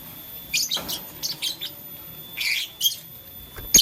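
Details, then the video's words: Morning chirping of blue lutino and green lovebirds at play with a flower: a few quick clusters of high, rasping chirps with brief silences between them. "LoveBird Playing Flower - Chirping Sound"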